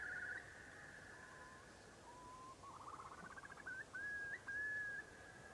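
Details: Eurasian curlews on the mudflats of the Kwade Hoek, Netherlands, a male beginning courtship display: soft, low whistles build into a quick stuttering run rising in pitch, ending in longer clear whistled notes; quiet background.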